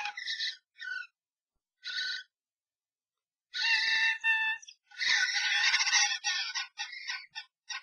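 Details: Fight among three common starlings in a nest box, triggered by a strange starling entering a pair's box; a few harsh notes, then a dense, rapid, scratchy chatter of clicks and screeches mixed with scuffling.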